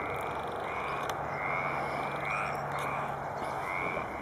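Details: A male Baillon's crake at Poça da Amoreira gives a dry, frog-like rasping rattle, repeated about every half-second, over steady wetland noise and a low hum.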